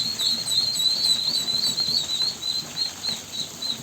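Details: Ducklings peeping loudly, quick high whistled notes with a slight upward inflection, packed closely at first and then spacing out, over soft low rustling.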